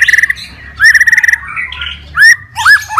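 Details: White-rumped shama in fighter mode, singing to goad other shamas: a steady buzzy trill, a clear held whistle, then sharp upward-swooping whistled notes.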